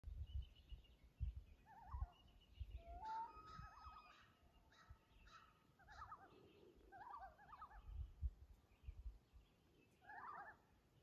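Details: Loons call and reply at Lake Vermilion, giving quavering, laughing tremolo bursts every two to three seconds, answered in turn, with a brief clear whistle over low rumbling wind or water noise.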